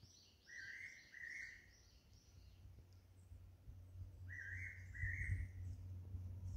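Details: Fairy pitta calling plaintively from a pine on Nojasan, 147 m above sea level, at a proposed golf course site. Two paired whistled phrases are separated by a pause of about three seconds. Higher chirps from another bird and steady low noise are also heard.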